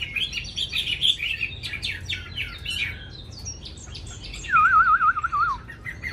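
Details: A young caged Chinese hwamei in Hanoi, a bird that sings readily. It gives a busy medley of varied whistles and chattering notes, then a long, pure, wavering trill that falls slightly in pitch.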